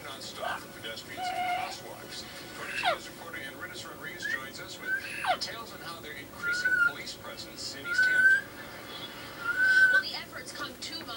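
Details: Pet parrot, female, babbling for attention while her owner cooks and trying to imitate a cat's meow though she has never lived with a cat; chattering, speech-like mutters and whistled notes with sliding meow-like calls, amid kitchen noise.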